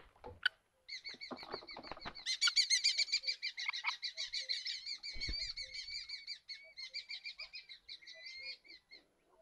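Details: Common kestrels fighting over a nesting box give rapid, shrill, strident kee-kee-kee calls in a long excited series.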